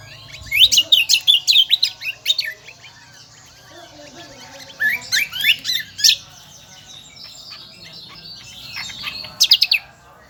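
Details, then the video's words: Kecial kombo, a Lombok endemic, delivers loud shrill bursts of fast, sharp chirps, around three notes a second in each run, separated by short pauses, with a final sudden high burst. "burung kecial kombo gacoorrr melengking"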